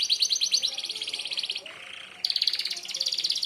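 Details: Merlok canary delivering sharp shot song for bird mastering: a rapid high rattling trill that drops to a softer, lower buzz mid-phrase, then resumes as a loud fast trill.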